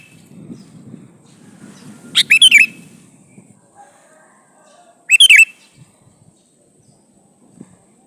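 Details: Male sooty-headed bulbul calling to a female: two short bubbly phrases of four quick rising-and-falling notes, about three seconds apart, over a faint low hum.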